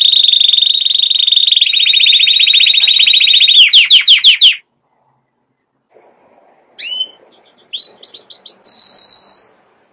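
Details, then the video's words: Singing canary delivers a long even rolling trill, then a burst of quick descending slurred notes, a pause, and soft rising chips leading into a high sustained trill; no background noise. "chant canari magnifique #lagu kenari yang luar biasa #magnífico canto canário #muhteşem kanarya"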